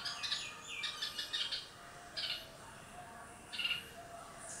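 A red-whiskered bulbul gives bright, bubbly whistled phrases in short bursts, three or four over a few seconds, with a faint high hum behind.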